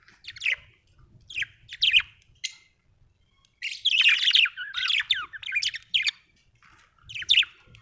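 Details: Busy budgie chatter: short sharp chirps at first, then a long rapid run of scratchy warbling notes with slurred whistles, ending in a few separate chirps.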